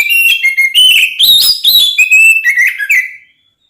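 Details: Oriental magpie-robin (kacer) singing a fighting song meant to provoke other magpie-robins: rich whistled notes stepping up and down in pitch, quick varied phrases, ending in a soft fading note.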